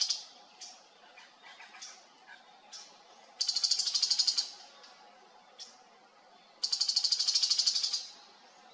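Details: Tiger shrike heard in Haenam, South Korea, while birdwatching: two long bursts of rapid, harsh, rasping chatter, each about a second, separated by faint short notes, over a constant low background hum.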